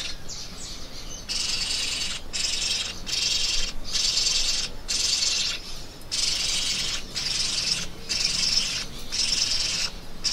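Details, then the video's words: A parrot screeches in a series of loud, hoarse, noisy bursts about half a second to a second long, separated by short silent gaps, at a steady loudness. "PSITACÍDEOS - Araras - Cacatuas - Papagaios - Periquitos - Animais da Fazenda - Som Dos Animais"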